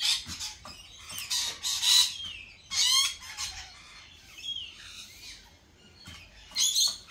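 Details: Lorikeets squabbling at a cafe: loud rasping screeches mixed with thinner whistled squeals, in irregular bursts with quieter gaps.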